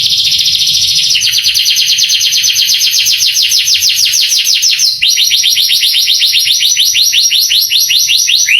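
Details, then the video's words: Canary song to excite young birds: a high buzzy trill followed by long runs of rapid downslurred chirps, changing tempo midway. "MASTERAN KENARI bikin KENARI PANAS EMOSI langsung gacor"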